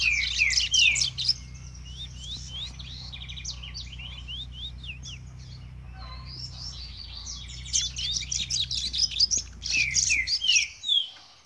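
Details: Captive male double-collared seedeater in song training, song about 98% clean: rapid, high, bright chirped and slurred notes in quick phrases, with a short pause midway and a low hum underneath.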